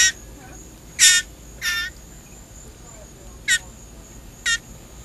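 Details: Blue jay in care, shrieking for food while being hand-fed: five harsh, broadband shrieks, the first louder and longer, the rest short and spaced irregularly, with a man talking encouragingly.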